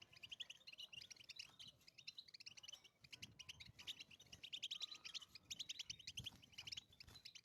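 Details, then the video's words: European goldfinch singing in the wild, the twittering battbata style: quick tinkling notes tumbling in long runs, a short steady whistled tone mid-way, and low background rumble. "اجمل بتبتة لأجمل طيور في العالم #الحسون_الملكي في البرية"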